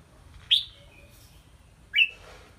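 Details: Caged red-whiskered bulbul kept in a small bamboo exercise cage hung high for stamina training; two short bright whistled notes about one and a half seconds apart, each dropping slightly in pitch, over a quiet background.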